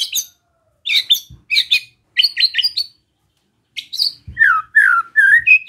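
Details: Provoking besetan from a white-rumped shama: clusters of harsh chattering notes separated by short gaps, then a run of whistled downslurred notes.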